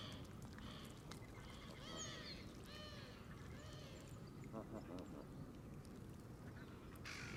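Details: Canada geese surrounding a camera on grass at the water's edge while feeding: a few harmonic honks near two to three seconds, softer scattered calls after, with constant low-pitched background noise.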